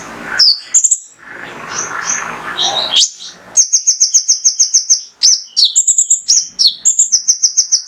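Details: Mangrove whistler male, konin, singing full-burst 'tembakan' material meant to make other songbirds sing: a noisy, hissy opening, then a fast run of high piping notes repeated several times a second and mixed with slurred whistles.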